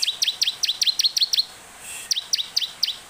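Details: Energetic bar-winged prinia song, recorded as a lure to make other birds of its kind sing: a rapid, even series of high chirps, each a quick downward sweep, breaking off briefly before a second run.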